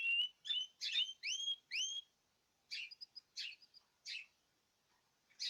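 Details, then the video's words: Several caged birds singing together; a quick run of rising whistled slurs, then spaced buzzy chirps with brief high tinkling notes, about two calls per second. "تغريد جماعي للطيور"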